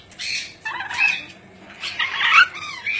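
Ornate lorikeet giving harsh, grating squawks in two bursts about a second apart, scratchy and high-pitched, in a quiet room.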